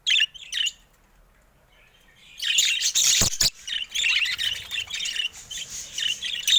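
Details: Budgerigars kept in a cage: a short burst of high chirps, a pause, then dense overlapping warbling chatter with sharp clicks and buzzy notes.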